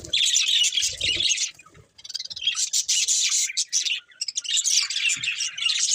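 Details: Budgerigars chirping in a dense, continuous high warble of rapid twittering notes, with a short pause near two seconds before the chatter resumes.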